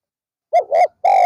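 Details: Spotted dove used as a decoy to attract wild doves, afternoon: two quick coos followed by the start of a longer, level coo, cut short.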